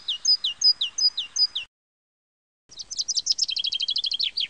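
Common chaffinch song: a bright, quickening run of descending notes ending in a flourish. Before a short silence, another bird repeats high, falling notes.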